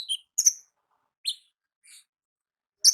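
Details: Olive-backed sunbird in natural habitat. A few scattered, high, thin chirps in ngalas style are separated by long gaps, and the last note is sharp and bright. Everything else is silent.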